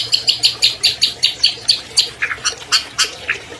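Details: Albino long-tailed shrike, champion in 2020, song meant to prompt silent captive shrikes: harsh high chattering notes repeated rapidly, about six per second, shifting to lower squeaky notes near the end.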